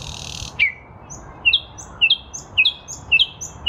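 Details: In spring 2023 a Nightingale sings in a lilac bush, with a loud downward-sweeping whistle followed by a series of paired short high notes repeated about twice a second.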